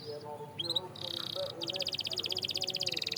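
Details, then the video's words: Canary singing, played to encourage silent canaries to sing: short high notes and a buzzy held tone, then a fast, steady, rattling high trill of repeated notes, with a faint lower tone underneath. "Silent Canaries? Not Anymore! This Sound Brings Them Back to Life"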